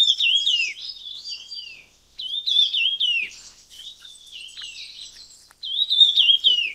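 Red-tailed minla giving three bursts of quick, high, twittering notes that slur downward, with softer chatter between the bursts.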